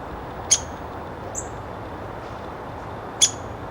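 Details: A female downy woodpecker calling at a nest box as she goes to roost for the night gives sharp, high 'pik' notes about three seconds apart, a fainter note between, over quiet hiss.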